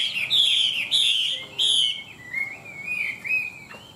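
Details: From a tame, large caged Chinese hwamei in Vietnam: three loud, pure descending whistles in quick succession, followed by quieter rising and wavering notes in a clean, quiet setting.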